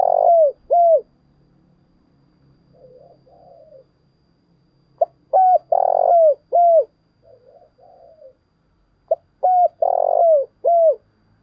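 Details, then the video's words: Caged decoy spotted dove from the eastern lowlands of Vietnam calling in the thúc bổi style: a clipped note, two mellow coos, a long vibrating coo and a falling final coo. The phrase comes three times, with soft murmurs between. "tiếng cu mồi thúc bổi"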